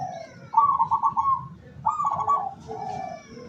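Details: Local zebra dove kept as a decoy to lure wild doves, dated 17 August 2023: two rapid, trilled, vibrating coo phrases, each with a short lower lead-in note, over a faint low rumble.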